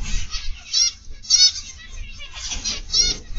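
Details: Zebra finches in an aviary on 31 August 2021, PM: short nasal, harmonic beeping calls in bursts, several birds overlapping, with a low rumbling hum beneath.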